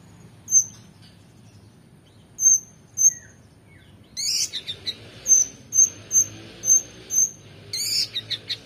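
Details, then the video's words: Energetic oriental magpie-robin, a tutor recording for competition birds: sparse thin high whistles at first, then a loud burst of dense chatter and a steady series of clear high whistled notes about twice a second. "KONIN GACOR EMOSI FULL BONGKAR ISIAN MEWAH‼️Cocok Untuk Masteran Burung Lomba"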